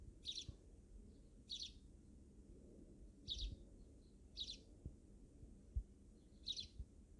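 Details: Wild backyard sparrows chirping: five brief high chirps at irregular gaps of one to two seconds, with a soft low hum and faint thuds underneath.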